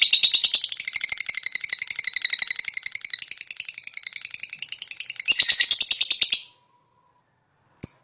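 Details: Gacor fighter lovebird in peak breeding condition delivering long ngekek chatter as lure song: fast, rattling high chirps in a steady stream, louder burst near the end, then abrupt silence with one brief final note.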